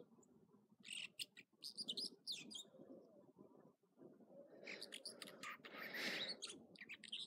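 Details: American dipper, also called water ouzel, singing in the morning at Echo Lake in California's Trinity Alps; bright, high chirping phrases come in bursts between pauses over a steady low rush of water.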